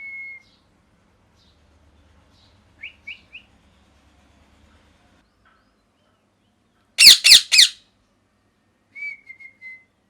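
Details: Pet parrot, molting and missing feathers, gives a brief whistle, three quick rising chirps, a burst of three loud harsh squawks, then a falling whistled note with soft chirps.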